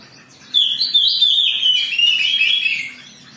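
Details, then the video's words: Agitated song of an Oriental magpie-robin, used to provoke other birds into singing: a loud, continuous warbled phrase of about two and a half seconds, high-pitched, rich and slightly descending toward its end, in a quiet room. "Pancingan Kacer Gacor || Suara Kacer Emosi"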